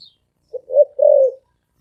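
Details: Spotted dove giving a fast 'thổ ồm vang' style coo: a short low note, then a longer, steady, hollow coo around mid-low pitch. The rest is quiet.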